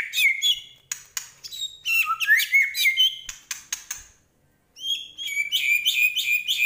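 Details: A Medan white-rumped shama (murai batu) in full song sings a rich, varied stream of loud whistles, trills and sharp rising notes, with a brief pause partway through.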